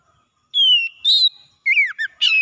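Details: Oriental magpie-robin morning song, played to restore stressed birds: a clear falling whistle, a brief burst of rough notes, then curling whistled phrases and a final bright note.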